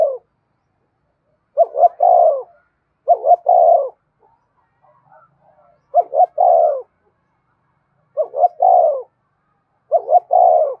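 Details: Spotted dove giving the thúc cooing style, meant to provoke wild doves, repeating a low three-part phrase, two short clipped notes then a longer drawn coo, five times with gaps of about two seconds in quiet surroundings.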